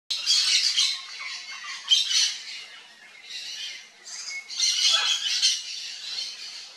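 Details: Yellow-faced parrot, a bird of central Brazil, giving harsh, raspy squawking calls in repeated bursts separated by short pauses.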